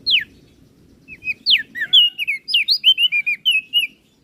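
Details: Energetic 'gacor isian' song of a crested white-eye from Flores, a master for training other birds: after a lone falling whistle, a rapid run of about a dozen bright, clipped whistled notes, rising and dropping in pitch.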